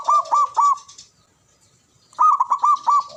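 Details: Male zebra dove, a local caged bird, calling: two bursts of three or four clipped, ringing coos, each burst a quick stuttering phrase, separated by about a second of silence.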